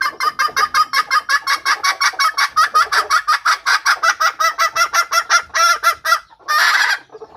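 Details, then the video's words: Red junglefowl hen call used as a lure for wild males: quick, nasal clucks, about four a second, for six seconds, ending in one longer, harsher squawk. "BUNYI AYAM HUTAN BETINA / SUARA PIKAT AYAM BETINA UNTUK PANCINGAN PIKAT AYAM HUTAN JANTAN"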